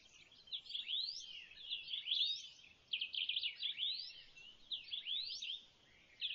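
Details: Swallow-tailed bee-eater in the Kalahari, Botswana, September 2014; high, sharp rising chirps and trilled notes in clusters about every second and a half, possibly more than one bird, over quiet background.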